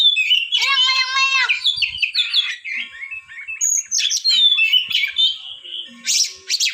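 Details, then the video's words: Oriental magpie-robin singing a varied medley: a rich harmonic buzzy note, then scattered whistles, twitters and high sharp chips of changing pitch. "Suara burung kacer terindah yang pernah ada"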